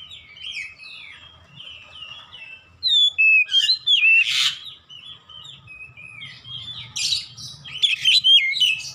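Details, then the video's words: Caged Oriental magpie-robin singing in the lively 'ngeplong gacor' style, used to train birds at home: a rapid run of varied whistled and slurred phrases, some rising and some falling, with louder bright bursts around the middle and end, over a faint low hum. "AUTO NGEPLONG GACOR KACER"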